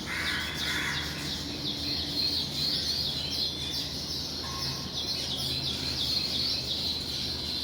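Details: Several weaver birds chirping at their nests in the morning as they fly in and out, a busy overlapping stream of high twittering notes with a few lower calls early on.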